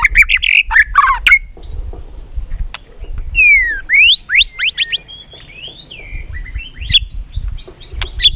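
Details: White-rumped shama in competitive song, mixing chattering phrases with clear sliding whistles and scattered sharp clicks, with pauses between phrases.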